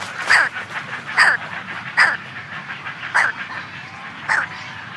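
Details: Close calls of a week-old brown pelican chick with its colony in the background: five rough, hoarse squawks spaced about a second apart above a low continuous colony murmur.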